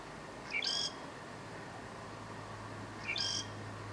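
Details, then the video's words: Southern grey shrike in northern Lanzarote, October 2018, giving two rasping phrases about two and a half seconds apart, each a short rising note followed by a buzzy high burst, with a low steady hum underneath. "(Southern Grey) Shrike song"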